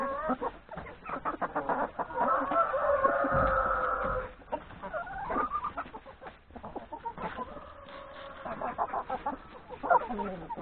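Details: Hens and three roosters feeding in a farmyard at breakfast before heading to forest grazing; continuous busy clucking from many chickens, a louder drawn-out squawk around the middle, then scattered short clucks and rising notes.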